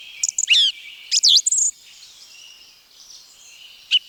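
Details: Song thrush from the forests of Wielkopolski National Park in Poland, giving a few loud, varied whistled and buzzy phrases in the first two seconds, a quiet pause, then a short note again at the end.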